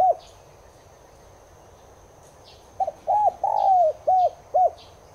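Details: Caged-dove stimulus cooing of a Spotted dove, subspecies tigrina: a single note at the start, quiet gap, then a full phrase of a stutter, two long arched coos and two short domed notes, with faint high chirps.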